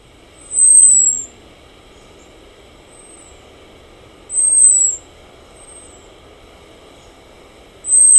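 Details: American robin high "zee" alarm calls, given to warn of a threat such as a predator: thin, very high, drawn-out seee notes, each about half a second, repeated every few seconds over a steady low hum.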